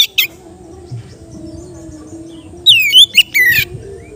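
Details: Caged Oriental magpie-robin in easy ngeplong singing: a faint note at the start, then after quiet murmuring background, one brief burst of bright slurred whistles and chips lasting about a second.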